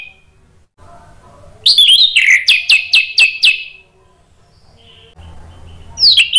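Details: An orange-headed thrush sings to goad rivals into answering: a faint whistle, then a loud phrase of a sliding note followed by five or six rapid, evenly spaced descending chips, and a final high rising slur.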